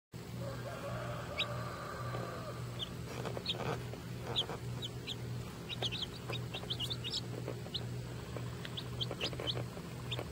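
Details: Baby Lavender Orpington chicks on a farm, peeping in short high rising notes scattered irregularly, thickening into quick clusters in the second half, over a steady low hum and some low murmuring early on.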